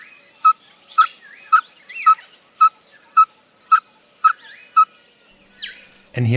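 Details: Male Yellow-fronted Tinkerbird song: a series of evenly spaced, popping single notes at one steady pitch, about two per second, nine in all, ending with a short downward slur and a loud click.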